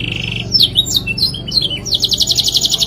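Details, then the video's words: Singing canary, its long song going on and on: a short level whistle, swooping high notes and sliding chips, then a rapid buzzy trill of evenly spaced pulses. Faint low hum in the background. "PANCINGAN SUARA KENARI GACOR PANJANG | CANARY SINGING"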